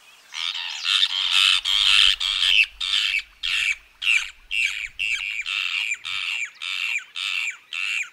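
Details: Brown Cacholote singing in Argentina: a long series of loud, harsh, chattering notes, about fourteen, delivered steadily at roughly two per second, with a quiet, natural background.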